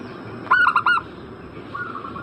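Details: A zebra dove call used to provoke a bird in breeding condition into answering: one loud phrase of four fast, rolling coos, then a fainter drawn-out coo shortly after.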